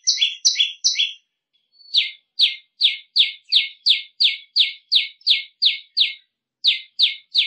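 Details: High, piercing prenjak lumut song kept for tutoring other birds: a few doubled chips, then a long even run of single sharp descending notes about three per second after a short pause.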